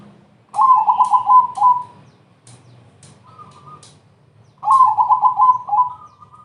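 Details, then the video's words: Fast, rolling coo phrases of a crossbred zebra dove, used to lure other doves into singing. Two pulsed bursts are separated by a quieter, higher phrase, with intermittent sharp clicks and a low hum. "perkutut crossing gacor TERCEPAT, memancing BUNYI,semua jenis perkutut terpancing"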